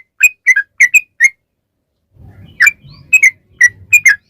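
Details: Sooty-headed bulbul, called trucukan locally, singing lure song to prompt bulbuls to respond: short gurgling whistled notes, a pause with faint low rumble, then more bubbly double notes.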